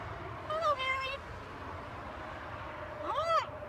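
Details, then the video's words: Pet talking macaw on a home balcony giving two short tonal, speech-like phrases with arching pitch, separated by a quiet gap of about two seconds. "Our talking Macaw"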